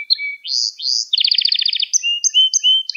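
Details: Singing canary, recorded to teach young canaries: short rising whistles lead into a quick rolling trill, followed by spaced pairs of thin high notes over low steady whistles.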